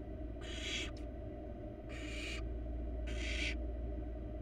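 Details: Wild nestling barn owl hissing in a nest box, three harsh half-second screeches, the first with a short extra burst, over a low continuous hum.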